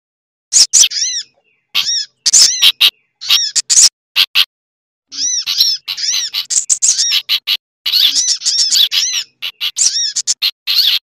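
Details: Busy combined lure sound for sunbirds (sogok ontong) with bulbul chatter added: repeated high, arched chirp notes in quick bunches, a silent pause near the middle, then denser twittering.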